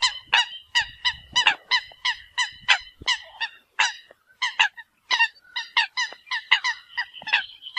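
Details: Eurasian coot calling the flock: a dense run of short, nasal, honking notes, about one every half second, with several birds overlapping and the pace uneven.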